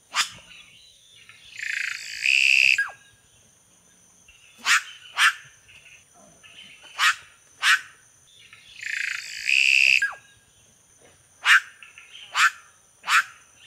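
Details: Red-rumped cacique repeating its song twice: a long buzzy nasal note that drops at the end, followed by a series of sharp, clipped notes spaced under a second apart.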